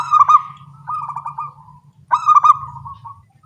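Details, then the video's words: Local zebra doves singing back and forth in the morning, small-voiced: two bursts of soft, rolling, trilled cooing near one pitch, each opening with a brighter stuttered phrase, separated by a short pause; faint low hum underneath. "Perkutut lokal suara kecil gacor pagi hari bersahutan"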